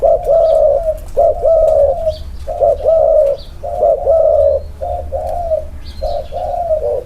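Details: Two spotted doves placed side by side to compare their inner-circle cooing style. Low, mellow coos come in rounded phrases, often with a rising-falling inflection and short gaps. Faint high chirps from other birds sound in the background.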